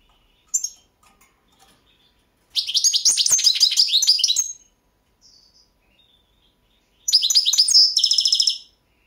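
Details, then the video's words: European goldfinch of the Balkan subspecies Carduelis carduelis balcanica, competition song entry from a 2022 world championship run by a Serbian breeding association; two bursts of rapid high twittering and buzzy trills, with quiet single chirps between. "Pesma štiglića 008/22 World Championship in Goldfinch Song"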